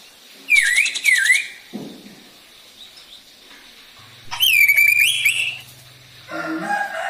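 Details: Lure song of a Black drongo, used to get other birds singing: loud wavering whistles with grating overtones in repeated bursts, separated by quiet gaps, with a low steady hum partway through.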